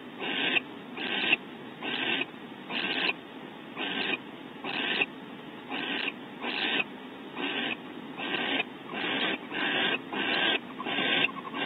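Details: Barn owls in a California nest cavity at Starr Ranch, male delivering prey from a pantry to the female on a bonding visit; loud, harsh hissing screeches repeated more than once a second in a steady series, sharp onsets, nothing else prominent.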